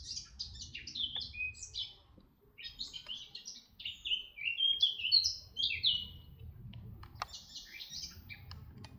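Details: Red-backed shrike in Artomaña near Orduña, Bizkaia, northern Spain, 2025: bursts of quick, varied high chirps and twittering phrases separated by short pauses, over a soft low background hum.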